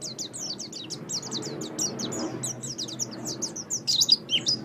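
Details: High-pitched twittering song of an oriental white-eye, a pet bird, in a master recording meant to teach caged songbirds. Quick chain of thin, slurred chirps, ending in a few louder, sharper notes over a soft background hiss.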